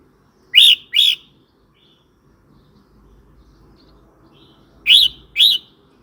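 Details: Red-whiskered bulbul singing, a recording used to tease new or wild-caught birds and to tutor young ones; two pairs of loud, bright whistled phrases, each pair of notes half a second apart, separated by a four-second pause with a low background hum.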